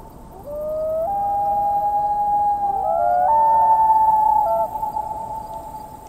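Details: Common Loon, a bird of coastal areas and large North American lakes, gives its plaintive wailing song: long, mournful, sliding notes that rise and hold, overlapping in two voices over about five seconds, with faint hiss.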